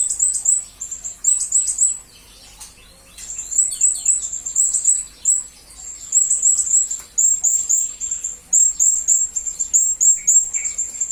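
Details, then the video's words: Blue-crowned hanging parrot (serindit) used as a master recording for training magpie-robins and leafbirds. Shrill, very high squeaky notes in fast runs of quick chirps, broken by short pauses, with a few lower whistles near the end. "Serindit Masteran Berkualitas Untuk Burung murai dan kacer ijo"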